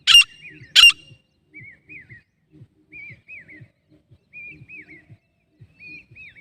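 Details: Female grey francolin (teetar) from Jharkhand, India, presented as a hunting sound called kumaju: two loud, harsh, explosive notes open, followed by soft, hooked whistled notes in pairs and triplets repeated through the rest.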